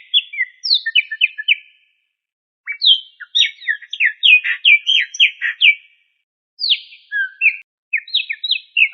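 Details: Pet cockatiels whistling during play: bursts of quick, choppy whistled chirps and slurred notes in a high register, delivered in three phrases separated by short pauses.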